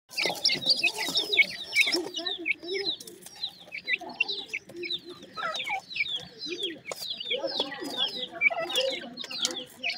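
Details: Painted francolin chicks in their first days: a steady chorus of many thin, downslurred cheeps overlapping continuously, with softer low clucking underneath.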